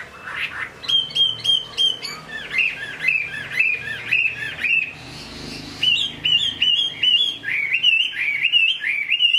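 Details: Rain-soaked hwamei song, a Chinese hwamei pouring out looping whistled notes, many rising then falling, repeated in quick succession with sharp high accents.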